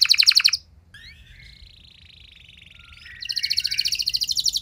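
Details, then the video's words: Canary song used to prompt other canaries to sing. A short, loud trill is followed by a quiet buzzy, warbling passage. A strong, fast, pulsing trill then returns. "Kenari Mana Saja Bakal Nyaut Cepat Respon Jadi Gacor Nembak Panjang"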